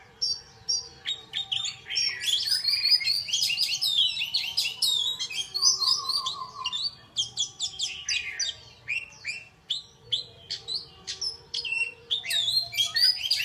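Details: Bird singing a dense, high-pitched stream of quick chirps and twittering notes with a short rapid trill in the middle. Bursts come about twice a second, with brief pauses.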